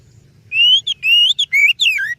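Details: Oriental magpie-robin song, used as a lure for other birds. A quick phrase of rising whistles and short clipped notes ends in a descending slur, all within about two seconds, over a faint low rumble.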